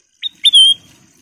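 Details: Ruby-throated bulbul: one short high note, a brief gap, then a long, loud whistled note that slurs slightly downward and fades.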